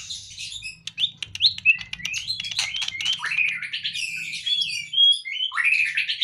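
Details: Caged white-rumped shama (murai batu) out of its cage, singing a fast jumble of ticks, clicks and sweet slurred whistles rising and falling, ending in loud downslurred notes, with a soft low hum behind.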